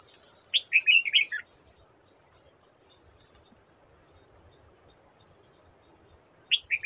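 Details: Wild red-whiskered bulbul at a trap on 18 July 2024, fighting a decoy bird. It gives one bright, warbled phrase of quick descending whistles, then a short fragment near the end. A steady, high insect drone runs throughout.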